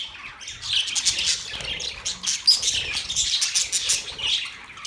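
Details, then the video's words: Budgies chirping: lively overlapping squeaks and warbled trills, a brief soft whistle standing out near the middle. "Budgies chirping sound"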